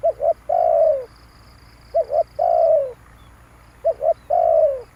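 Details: Spotted dove used as a lure, giving a three-part coo repeated every two seconds: two quick short notes then a long, slightly falling mellow note, over a faint steady background hiss.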